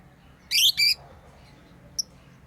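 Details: Two loud harsh shrieks in quick succession from playing pet lovebirds, followed after a pause by one tiny high tweet.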